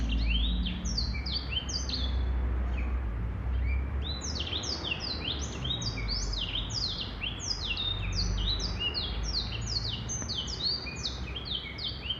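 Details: Long unbroken song from a male black-throated canary: fast tumbling series of thin, high slurred whistles, mostly falling in pitch, delivered at a brisk even pace above low background rumble.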